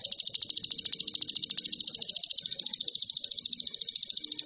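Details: An agitated crimson sunbird pours out a very high, rapid, unbroken trill of sharp ticking notes, about ten per second, with faint low background noise.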